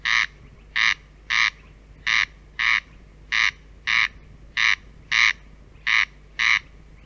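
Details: In Central Russia, a corn crake (Crex crex) repeats its dry, rasping, crackling double note, crex-crex, about eleven times at a steady pace over a faint background hum.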